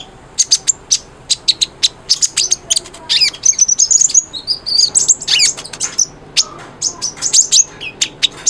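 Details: Brown-throated sunbird (konin) singing energetically, used as a training recording to prompt silent birds: rapid high-pitched twittering of sharp chips and short thin whistles, dense and continuous throughout.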